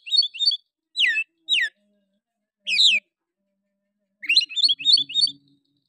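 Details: Oriental magpie-robin singing in the rough 'nembak' style, used as a lure to stir other magpie-robins: quick warbled trills, two steeply falling whistles, a buzzy phrase, then a rapid run of varied high notes.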